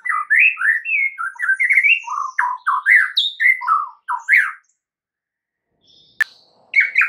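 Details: Lure song of a white-rumped shama, played so other shamas reply at once: a rapid, varied string of whistled, warbled phrases jumping between high and mid pitch, a pause, a sharp click, then a final whistle.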